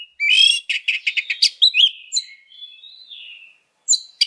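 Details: Oriental magpie-robin singing in fighting mode, a lure recording: a harsh buzzy opening, a run of rapid clipped notes, then a long thin whistle sliding gently down before two sharp final notes.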